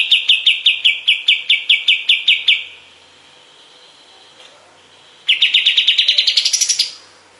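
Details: Master recording of a kapas tembak bulbul for tutoring other songbirds: a steady run of crisp chirps about three a second, a quiet gap, then a fast trill that speeds up and climbs in pitch before stopping.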